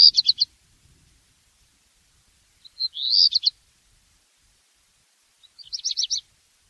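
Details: Three short high song strophes from a black redstart spaced a few seconds apart, each a quick scratchy rattle, the middle one opening with a rising buzzy note; otherwise quiet.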